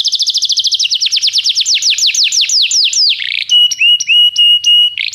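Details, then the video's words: Canary singing to train a young canary: a fast trill of high notes slows into broad descending sweeps, then changes to a level pure whistled tone broken by short pulses, ending on a rising note. "canário cantando - professor para o treinamento do seu filho canário"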